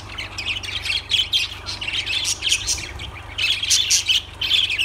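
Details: Several lovebirds chatter at once: high, harsh chirps and squeaks rise and fall in clusters about every half second over a faint low hum.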